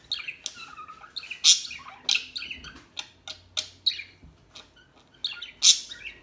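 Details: Small birds twittering quietly, with scattered high tweets and a few loud sharp chirps at irregular intervals against faint background hiss.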